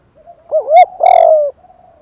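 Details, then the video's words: Spotted dove, male and female, cooing as a lure for training birds: one rounded, hooting note, then a longer, rough, sustained coo, with soft coos trailing after. "Tiếng chim cu gáy kích bổi [ thúc + gù + gáy gọi ] tiếng chim cu gáy thúc gù bài bản ra nhiều bài"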